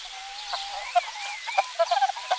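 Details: Village chickens in Greece on a spring morning: a drawn-out, steady moaning tone gives way to a burst of short, clipped clucks near the end, while faint chirps of wild birds carry on in the background.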